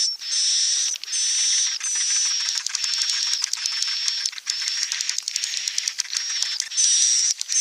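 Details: Edible-nest swiftlets, in a set of sounds meant to attract them to nest: a few hissing chirp bursts at first, then fast dry clicks rattling under high, thin twittering.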